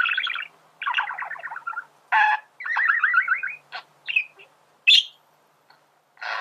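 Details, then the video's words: Male budgerigar song: buzzy chattering phrases of rapid pulsed notes, interrupted by harsh rasps, clicks and one high sharp squeak, with a short silence before a final rasp. "فيديو ممتع لتغريد ذكر بادجي"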